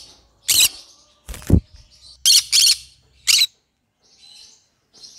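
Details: Singing green-cheeked conure, a pet parrot, giving five loud harsh broadband squawks spread over about three seconds, two of them close together, followed by faint high chirps.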